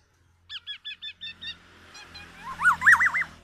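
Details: A tame black-naped oriole gives six evenly spaced short double notes, then a louder string of quick wavy, warbling whistles. The song is loud and distinctive.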